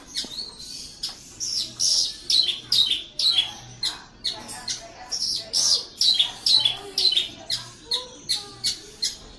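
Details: Horsfield's bush lark, a caged bird in a Javanese collection, pouring out a steady run of high, harsh chirps and squeaky notes, roughly two a second, with little pause. Soft low rumble in the background.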